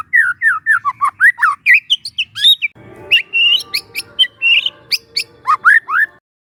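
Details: Young forest White-rumped shama used as a training lure, singing rapid strings of whistled, upslurred notes with sharp high ticks, briefly pausing mid-phrase then resuming with varied chirps.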